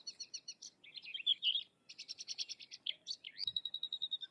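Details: Sykes's lark singing a rich, varied high song: rapid repeated twittering notes, a buzzy jumbled middle, pulsed trills, then a long thin whistle at the end.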